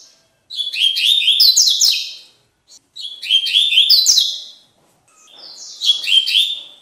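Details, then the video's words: Tui tui song of a lined seedeater, a style played to teach or stimulate birds; three fast, sweet phrases of sliding, slightly buzzy notes, each under two seconds, separated by brief silences, in a quiet setting. "BIGODINHO CANTO TUI TUI PARA ENCARTE"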